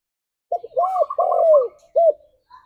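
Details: Spotted dove singing, played to stimulate pet doves to sing: mellow low cooing phrase, a short note, a long arched coo, a drawn-out hooting note, then a final clipped coo.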